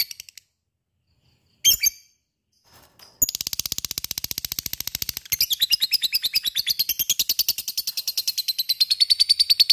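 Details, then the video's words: Lovebird ngekek chatter meant to provoke other lovebirds into singing: after brief clicks and silence, a long run of rapid, buzzy, evenly repeated high pulses starts near three seconds and keeps going steadily to the end. "Sekali denger LOVE BIRD akan trpancing untuk ikut ngekek fighter dan gacor"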